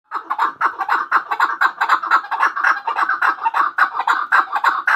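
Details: Chukar partridge, described as a hunter chakor, giving a fast run of harsh clucking chuk notes, about two per second, packed into a continuous rhythmic chattering series.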